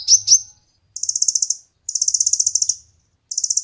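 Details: Two piercing chirps from a kolibri ninja sunbird, followed by three separate fast high-pitched rattling trills with brief silences between, recorded as tutor material for contest birds.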